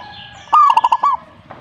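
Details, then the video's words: A single short zebra dove phrase: a sharp rising coo, then four quick clipped pulses and a final rolling note, all within under a second, over light background noise. "perkutut jika nyaut"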